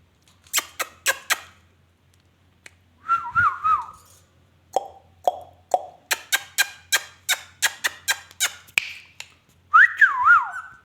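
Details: Pet ringneck parrot said to be talking produces wavering whistled phrases that dip and rise, separated by long runs of crisp rapid clicks, about four per second, with a final loud warbling whistle.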